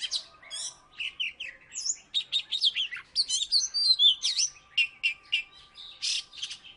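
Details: Salatiga Oriental magpie-robin, a former third-place winner, singing steadily: crisp whistled notes and short chattering phrases repeated in quick succession, some swooping downward, with brief gaps between them.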